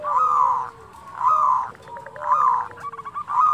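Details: Zebra dove (local perkutut) in "kerot" and "bekur putar" song to make other doves sing: four loud rolling coos about a second apart, each followed by a lower sliding coo and short trilled notes.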